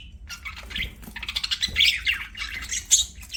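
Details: Budgerigars singing while playing; busy run of buzzy squawks, clicks and chirps, with some sharp high squeaks near the end.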